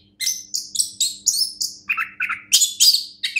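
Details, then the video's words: A champion orange-headed thrush sings a fast, varied run of high, sweet notes and buzzy trills, about four phrases a second, over a faint electrical hum. "anis kembang juara"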